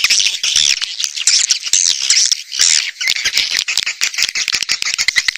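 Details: Dense swiftlet chatter made as a lure for outdoor and indoor speakers: many high, buzzy twitters overlap into a busy wall of sound, easing slightly near the end into separate chirps.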